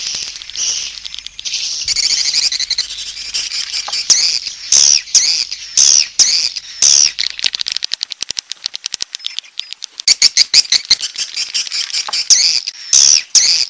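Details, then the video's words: Grey-breasted prinia call used to lure wild birds: high scratchy buzzing phrases, then rapid clicking ticks in a fast series, buzzy bursts returning near the end. "Suara Ampuh Memanggil Burung Waler Liar"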